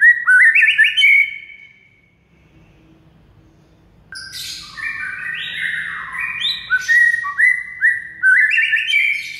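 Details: Training recording of white-rumped shama song meant to make silent birds sing: a climbing whistled phrase, a pause, then a dense, varied burst of whistles, harsher buzzy notes and rising slides.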